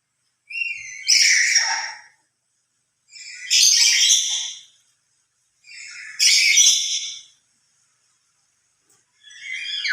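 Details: Lory giving its loud emotional call, which it makes louder when alone than with other lories: three harsh, ringing squawks about every two and a half seconds, each rising to a strident peak, with a fourth beginning at the end.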